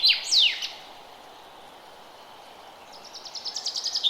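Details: Forest bird chirping in early spring: a loud, steeply falling flourish ends one song, then a long quiet stretch of soft hiss before a new run of quick, evenly repeated high notes starts.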